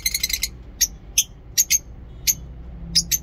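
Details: Lovebirds in a mini zoo in the morning, giving short, very high, sharp chirps: first a quick cluster, then single or paired chirps spaced about half a second apart over a low steady hum.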